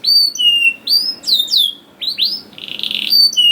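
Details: Canary song for training young birds to sing, with clear whistled upslurs and slides, short sweeps and a brief buzzy burst.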